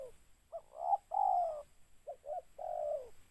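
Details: Spotted dove, heard as a trapping lure, giving a short double note then a long descending coo, repeated once more within a few seconds. Quiet background apart from steady hiss.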